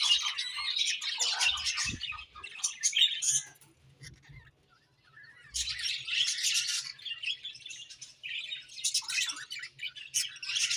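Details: Morning chatter of budgerigars: busy high twittering and scratchy warbling notes in bursts, a near-silent gap in the middle, then the lively chirping resumes, with a faint low hum underneath.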